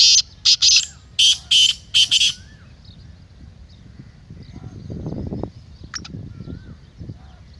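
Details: Kala teetar, the black francolin, gives one grating phrase of five buzzy notes in the first two seconds, followed by quiet background rustle and a single brief high note.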